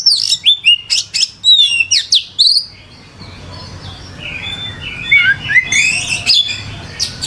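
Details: Oriental magpie-robin (kacer) singing gacor: about three seconds of rapid loud chirps and whistled slurs, a quiet gap, then softer warbling resumes.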